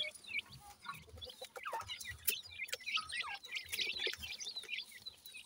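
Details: Several Sindhi grey francolin chicks at feeding time give a continuous stream of sharp, high cheeping notes, overlapping and chattering, mixed with faint clicks and scuffling.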